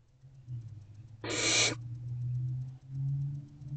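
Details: Hungry barn owl owlets in a nest box, waiting for their mother to return, 6:00 pm on 3 March 2024: a single harsh, broadband hissing screech about half a second long over a steady low electrical hum.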